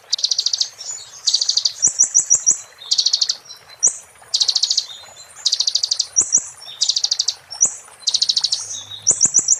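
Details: Kolibri ninja singing 'muntah beling' as tutor material for magpie-robins and shamas: continuous run of high, rapid buzzy trills alternating with quick whistled note series, each phrase about half a second.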